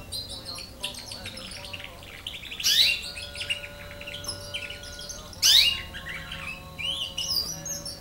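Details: Young canary, nine months old, learning to sing: varied high twittering phrases with rapid trills and chirps, louder bursts around the third and fifth seconds, over a faint steady low hum.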